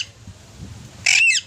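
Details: Alexandrine parakeet giving a single short, harsh, loud squawk after a second of quiet room background.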